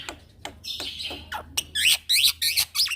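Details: Brief burst of rolling song from a young male Black-winged myna used to train other birds: faint ticks build into loud, rasping, high chattering phrases in quick succession.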